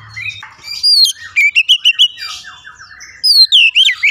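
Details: Oriental magpie-robin (kacer) in vigorous song: a string of quick rising whistles in even beats, a soft scratchy pause, then looping, descending whistled notes.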